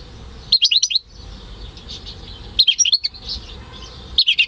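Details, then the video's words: Home-bred goldfinch × canary hybrid in a cage, May 2015, delivers three short bursts of rapid, high, jingling twitters, each under a second long and separated by pauses of about one and a half seconds, over a faint hiss. "Saka Melezi Ötüşü"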